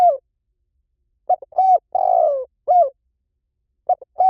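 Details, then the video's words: Spotted dove lure call used to draw in wild doves: a short low coo, a pause, then a phrase of two clipped coos around a longer, rough, downward-sliding middle note, with the next phrase starting at the end. "เสียงนกเขาใหญ่ หมานๆ ต่อเข้าเร็ว ป่าไหนก็เข้า"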